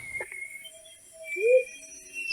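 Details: A Whooping Motmot in New World tropical rainforest, perched low, gives a single low, hollow, slightly rising whoop. It sounds distant but is closer than it seems. Faint high insect tones and a murmur of narration are also heard.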